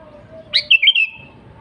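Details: One lively phrase from a sooty-headed bulbul in full song: a swift rising note and then a cascade of three liquid, gurgling whistles, over a steady faint hum.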